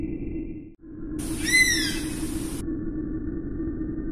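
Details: Oriental honey buzzard giving one loud, ringing whistled call that curves downward, set against continuous low-pitched background hum with faint steady tones before and after.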